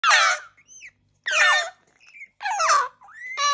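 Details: Baby African grey parrot at breakfast time, indoors, giving harsh, squealing begging calls in bursts of about half a second, roughly one every second, with soft whistled rising notes between them.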